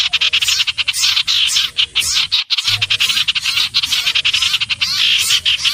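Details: Common iora singing a rapid, harsh chatter of high, buzzy notes in near-continuous runs, with one brief silent break midway and a faint low hum underneath.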